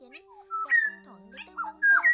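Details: Oriole flock call played to lure migrants from China into nets in Vietnam, August: a level whistled note, then sharper falling and rising slurred whistles, with a constant low tone humming underneath.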